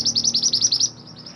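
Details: Mantenan gunung giving a brief, bright trill of rapid, high, chirping notes, about eight pulses in under a second, then fading out.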